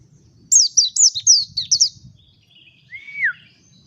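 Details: Mountain white-eye singing a rapid phrase of high, slurred chirps, then a softer warble and a level whistle that slides downward at its end, with low murmuring background noise.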